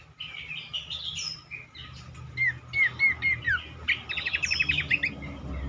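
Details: Cingcoang song meant to spur other cingcoang into singing: rough chirps give way to four slurred, falling whistles, then a quick run of clipped notes.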